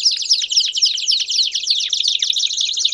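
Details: Belgian canary in strong song: quick, evenly repeated high chirping notes forming a fast, rhythmic trill.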